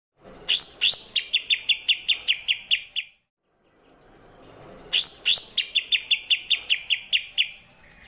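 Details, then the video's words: Greater green leafbird song filled with mimicry of the kapas tembak: two phrases, each opening with two loud rising whistles and then a fast run of about ten sharp, high chips, separated by a short silence. "CUCAK IJO RASA KAPAS TEMBAK"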